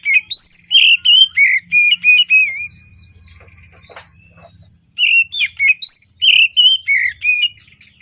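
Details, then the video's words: Morning singing by an Oriental magpie-robin, used as a lure for birds slow to sing. Two bouts of about eight loud whistled notes each, rising and falling in quick rhythm, with a soft pause and low rumble between. "Kacer Gacor Di Pagi Hari, Pancingan Kacer Sulit Bunyi dan malas Bunyi"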